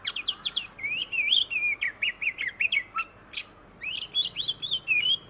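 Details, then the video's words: Kacer, the oriental magpie-robin of Indonesia: lively song of rapid high chirps followed by sweet whistled phrases rising and falling, a brief pause, then more quick chirps and a drawn-out whistle. "KICAU BURUNG KACER YANG MERDU || MAGPIE ROBIN VOICE"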